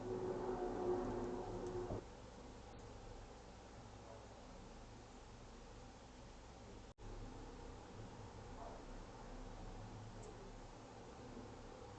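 Only low rumbling background noise, with a louder steady hum for the first two seconds and a brief dropout midway; no animal calls.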